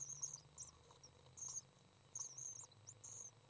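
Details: Three young common swifts being fed, May 30th 2012: high, thin, wavering trills in repeated bursts, some slightly rising, over a faint low hum.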